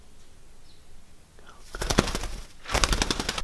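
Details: Quiet room tone gives way to rapid clattering clicks and bursts of rustling noise, with no animal voice heard.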